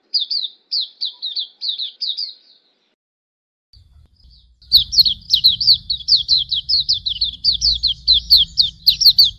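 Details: Hume's white-eye, tutor recording for training birds: a rapid high chirping phrase, a pause, then a long fast burst of downslurred notes over a low rumbling hum.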